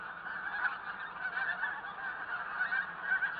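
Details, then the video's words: Pink-footed geese (Anser brachyrhynchus) in Norway calling together, a dense, continuous chorus of nasal honks and higher yelping notes from many birds at once. "Pink-footed Goose"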